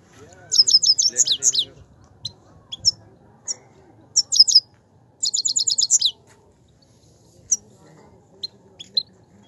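A Himalayan goldfinch sings bright, tinkling bursts of rapid high twitters, broken by short pauses and single sharp chips, over a faint low murmur.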